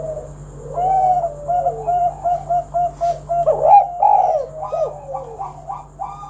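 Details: Spotted dove (tekukur) singing in the kuk 1 style, used to lure other doves into singing: a run of soft low coos in quick uneven succession, some rising then falling, with a steady faint electrical hum beneath.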